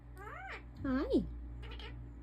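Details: A pet African ringneck parakeet talking indoors: a few short, harmonic, rising-and-falling speech-like syllables, with one louder arched note near the middle, over a steady low room hum.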